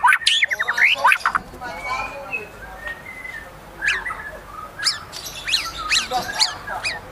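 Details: White-rumped shama singing with high excitement, an opening burst of quick rising whistles and trills, then sparse sharp high notes with soft whistles between.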